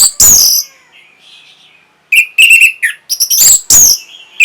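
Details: Orange-headed thrush song, played to stimulate breeding and draw a reply. It opens with a loud harsh rasping burst, then a thin wavering whistle. Later come rapid bursts of sharp scratchy notes mixed with high piercing whistles.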